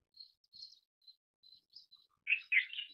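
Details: Indian silverbill giving a series of thin, high chirps, short and irregularly spaced, ending in a burst of louder, fuller twittering notes; no other sounds.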